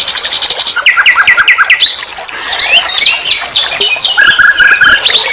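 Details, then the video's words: Nightingale singing on a master track for training songbirds: a high rapid trill gives way to a row of quick repeated slurred notes, then looping warbled phrases and a fast low chattering series. "Masteran SIKATAN LONDO || NIGHTINGALE BIRD, Guru vokal semua burung kicau."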